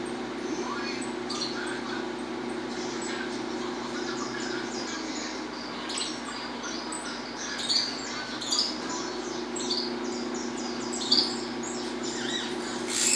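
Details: Peruvian saffron finch singing in the estalando style: bright, sharp high chirps and short notes scattered through the whole stretch, with a few louder accents near the end over a steady low indoor hum.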